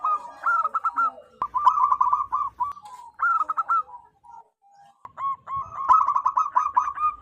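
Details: Loud wild local zebra dove, calling to lure others of its kind, delivering rolling, rapidly pulsed coo phrases that run almost continuously, with one short silent gap before a final bubbling series.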